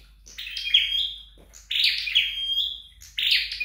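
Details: A flowerpecker trained at home gives three high, buzzy chirping phrases, each ending in a short, thin, level whistle.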